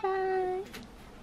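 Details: Pet Ducorps's cockatoo, talking repetitively at home while trying to say bye-bye, gives a single pure level whistle lasting just over half a second, followed by quiet room noise.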